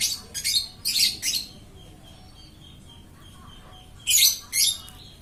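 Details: Lovebird singing on and on: a quick run of three loud rasping high chirps, a quiet gap, then two more harsh bursts, with a faint steady whistle-like tone behind.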